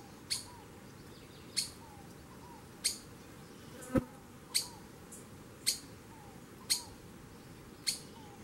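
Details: Streaked flycatcher (bem-te-vi-rajado) calling: sharp, high, clicky notes repeated roughly every 1.1 seconds, with soft low chirps between them and one louder snap near the middle.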